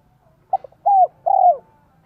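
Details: Decoy spotted dove singing the 'son, 1 cốt lỡ' style meant to draw in wild doves: two short soft notes followed by two full, mellow coos that slide downward.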